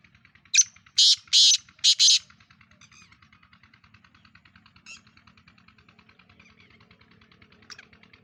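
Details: Black francolin of the kind sold as Sindhi Kala Teetar, described as pure Gangas Nasal and Chakri Wala: a burst of loud, harsh, grating notes early on, then fainter calls over a steady fast ticking background.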